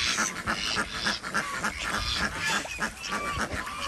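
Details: Desi ducks at a village duck farm in Andhra Pradesh during morning egg collection. Rough, nasal quacks repeat rapidly, almost twice a second, from several birds calling together.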